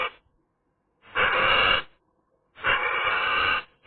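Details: Eurasian magpie on a sunny day giving two long, harsh, rasping bursts, each lasting under a second and separated by a pause of about a second, with quiet in between.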